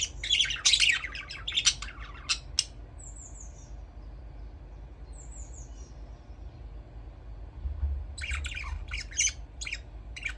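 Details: Budgerigar chirping: bursts of scratchy, rapid chatter at the start and end, with a few clear, thin, downward-slurred whistled notes in the quieter middle stretch.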